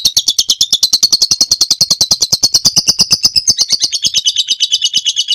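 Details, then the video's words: Lovebird giving a long ngekek trill, recorded as a master song for training birds: a steady, rapid chattering of sharp pulses for over five seconds, pitched high and drifting slightly up then down. "Suara masteran burung lovebird ngekek panjang"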